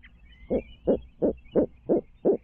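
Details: Barred owl calling at its nest in Midtown Tulsa on a stream cam: six throaty hoots in quick, even succession, spaced about a third of a second apart.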